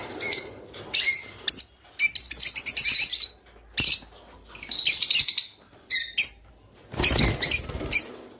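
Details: Rice finch song for stimulating mating in captive birds: repeated bursts of high, rapid ticking trills and squeaky chirps, one longer sweeping buzzy phrase near the middle, separated by short silences.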